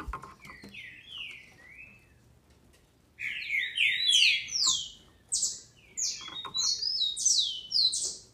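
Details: Female green-winged saltator kept in captivity in Brazil, song meant to excite males: soft sliding whistles at first, then a loud rapid sequence of high, downward-slurred whistled notes.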